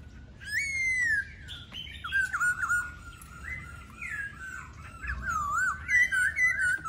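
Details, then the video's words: Laughingthrush song of varied whistled phrases, slurred upward and downward notes strung together rapidly, some sweeping high, others wavering and rich, delivered in several loud bursts. "Khướu Hót"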